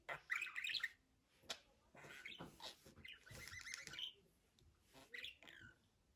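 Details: Pet budgerigar chattering in fast, scratchy warbled bursts with short whistled notes, broken by brief pauses, with faint background sounds.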